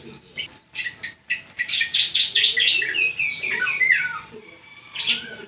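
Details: Semi-gacor Javan sun-bird song: scattered high chirps building into a quick run of sharp notes, then descending whistled slurs and a final chirp, over faint background hum.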